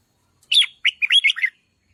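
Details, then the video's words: Singing red-whiskered bulbul used for training a loud voice and stirring up decoy birds: one lively phrase of five or six bright, slurred whistled notes. "นกปรอดหัวโขนร้องเพราะที่สุด | ฝึกเสียงให้ร้องดัง | กระตุ้นนกต่อให้ฮึกเหิม"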